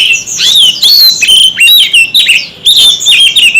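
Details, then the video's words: White-rumped shama locked in a heated singing contest, using many voices: dense loud whistled phrases, rising and falling slurs and fast twitters, almost without pause across the stretch. "Chòe Than Hót Đấu Căng Lửa – Chim Hót Cực Nhiều Giọng"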